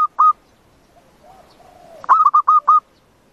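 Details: Zebra dove calling, sound used to lure the birds for trapping: two short coos, a faint soft sliding note, then a quick series of five clipped, evenly spaced cooing notes.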